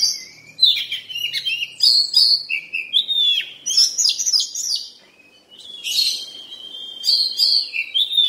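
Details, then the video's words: Oriental magpie-robin in moult singing lively bursts of high chattering notes mixed with clear whistles, pausing briefly between phrases. "Kacer MIMPI BASAH Yang Mabung nya Seperti iNi"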